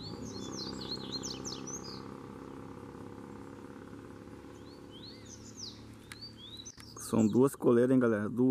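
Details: One of two wild Double-collared seedeaters singing apart in shared territory: a fast, high twittering phrase, a few scattered notes later, then a man talking loudly.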